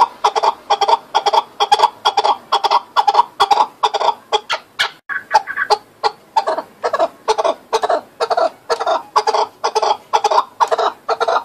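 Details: A rapid, sustained burst of hoarse clucking calls from a chukar partridge, notes tumbling out at an uneven pace with a brief shift in tone near the middle.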